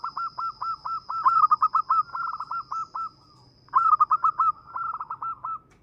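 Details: Local zebra dove singing, prized for luring other birds. Long strings of evenly pulsed coos speed into dense bubbling bursts, then stop briefly and start again, over a thin continuous high whine.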